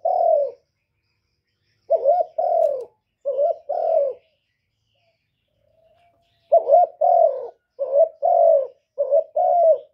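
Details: Spotted dove cooing in two bursts. First comes a single coo, then a few paired short-and-long husky notes, a long silence, and then a rapid run of five or six coos.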